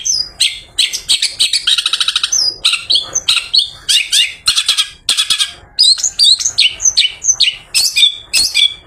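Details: Afternoon song of a long-tailed shrike after a bath, sung as a lure for other shrikes. Rapid, varied high notes form a scratchy run of buzzy chatters, then sharp rising and falling whistled slurs, densely packed with few gaps.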